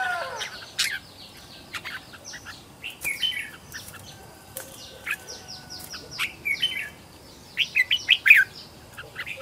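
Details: Red-whiskered bulbul kept as a decoy to call wild birds, trained at home: series of quick downslurred chirps and short phrases, ending in a louder rapid burst of notes.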